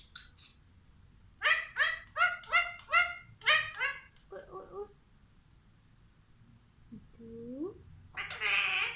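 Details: Caged Alexandrine parakeet talking: two quick high notes, then a fast run of about eight rhythmic, harmonic syllables, softer chatter, a low rising whistle and a final loud raspy squawk.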